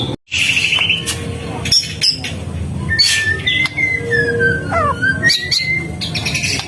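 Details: Gacor singing from a White-rumped shama: a brief buzzy trill opens, then snapping clicks and a long wavering whistle that dips and climbs again, with a low hum throughout.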